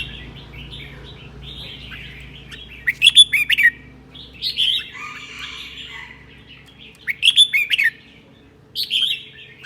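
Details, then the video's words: Red-whiskered bulbul from Sơn La, Vietnam, singing in the ché style on a cold day: short bursts of bright, warbled, chattering notes in clusters several seconds apart, separated by quiet gaps with a faint low hum. "CHIẾN BINH 7 MÓNG HÓT CHÉ NGÀY LẠNH"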